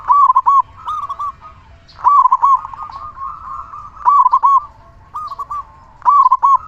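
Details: A local zebra dove singing steadily and loudly, meant to prompt other zebra doves to call. Four strong phrases, each a quick run of bubbling coos, repeat roughly every two seconds, with quieter coos between.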